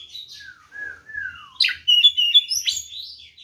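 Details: White-rumped shama singing its provoking fighting song: several low downward-sliding whistles, then an abrupt burst of loud rapid chattering and high whistled notes.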